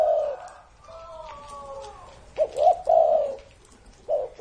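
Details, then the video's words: Old spotted dove, said to be more than thirty years of age, giving brief hollow coos. A thin whistled sound drifts in before the coos resume near the end. "CU GÁY CỤ hơn 30 năm tuổi"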